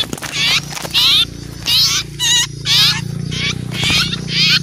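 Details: Lure recording of small birds scared at the sight of an owl: separate bursts of rasping, buzzy calls, about one every half-second to second, over a continuous low droning hum.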